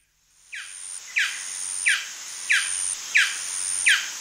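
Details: Male Golden Dove giving yapping calls: six sharp, downslurred yaps start after a brief silence and come roughly every two-thirds of a second, over a steady high-pitched whine in the background.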